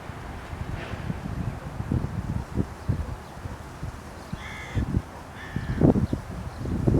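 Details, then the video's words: Carrion crow perched on a post at Aranoltza, Zamudio, Txorierri, Bizkaia, 12 June 2020, 'singing': two brief, nasal, tonal notes in quick succession, set against steady low rumbling from wind or handling noise. "BELABELTZA HESOLAN “ABESTEN” / Corvus corone _2020.06.12_ (Corneja negra “cantando” en la estaca_)"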